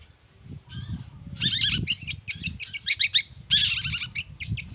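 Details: Long-tailed shrike in energetic morning song, used to lure other shrikes into replying; bursts of harsh chattering and scratchy chirps with a few whistled notes, over a steady low rumble.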